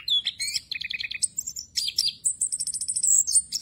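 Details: Orange-headed thrush song used as training material for other birds: dense high whistled phrases, rapid repeated notes and trills switching pitch quickly, continuous without pauses, faint low hum beneath.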